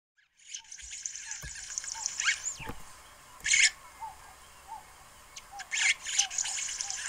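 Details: Red-headed weaver building a nest gives high, dry sizzling bursts mixed with a run of soft low chips repeated about twice a second.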